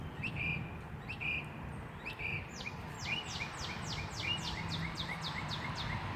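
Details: Wild birds singing outdoors: short whistled notes, then a rapid series of descending sweeping notes repeated about twice a second, over steady low background noise.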